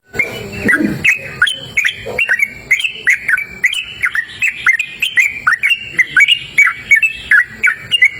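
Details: Sooty-headed bulbul singing vigorously outdoors in cool open natural surroundings: a rapid run of short, clear chirped notes, each dipping or rising sharply, repeated several times a second for the whole stretch, with a low rustle at the start.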